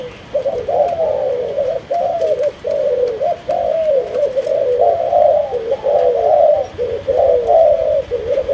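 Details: Kept spotted dove, Malaysian line, cooing continuously. The run of warbling, slightly quavering phrases rises and falls, with little pause between them and a low hum beneath.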